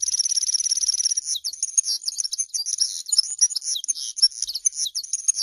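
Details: A common linnet opens with a rapid rattling trill, then twitters through a jumble of varied high chirps and short warbled notes.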